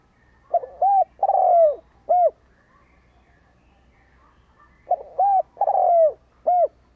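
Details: Spotted dove used as a lure for wild doves, repeating its cooing phrase twice. Each phrase has four hollow notes, the third long and falling, and the two phrases are separated by about three seconds of silence.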